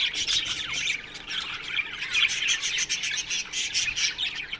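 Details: Australian budgerigars in an aviary colony: dense overlapping chirps, squawks and warbled chatter from many birds at once, with short rising and falling notes crowding together without pause.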